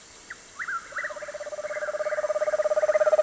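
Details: Scattered short descending notes lead into a screech owl's level, rapidly pulsed trill that builds in loudness for over two seconds.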